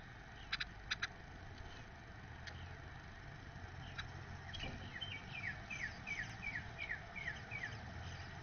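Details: Male Eastern bluebird feeding one of his nestlings from the first clutch. In the second half, a run of short, quick, downward-sliding chirps comes about three per second, after a few sharp clicks, over a steady low rumble like distant traffic.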